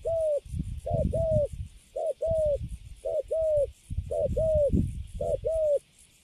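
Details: Spotted dove, a newly caged wild bird with a fine coo, singing cấn sấm: rhythmic pairs of soft coos, the second longer and falling, repeated roughly every second above low muffled thumping.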